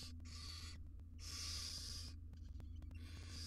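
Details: Barn owl mother tending tiny chicks in a research nest box with a camera: three harsh, airy hisses, the middle one longest at nearly a second, over a low steady hum.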